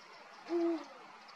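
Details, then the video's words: Male Eurasian eagle-owl singing: a single deep, steady hoot lasting about a third of a second, level in pitch, against a quiet hiss. "Búho real macho cantando."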